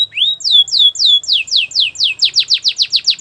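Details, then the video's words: Belgian canary warming up its song to get ready for females; a rising whistle then a run of clear downslurred notes that speed up into a rapid rhythmic trill. "Belgian canary singing to warm up and get ready for females"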